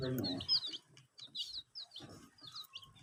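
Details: Domestic chicks at water, kept warm under heat with veterinary care; a few piercing, rising peeps scattered over three seconds, following a brief deep voiced sound and soft thuds.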